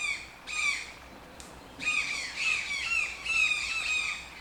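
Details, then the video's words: Toucan calling with a brief squawk, a pause, then a longer run of repeated grating, nasal yelps, each slightly downslurred, coming about twice per second, with a faint click and no other animals audible. "TOUCAN SOUNDS - Toucan Sound Effect"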